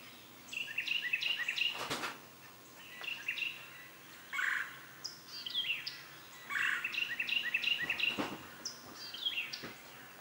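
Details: Northern cardinal nestlings being fed a large green caterpillar by their mother: bursts of rapid, high, scratchy chirps repeated in clusters of about one to two seconds, with short quiet gaps and a few sharp clicks between bursts.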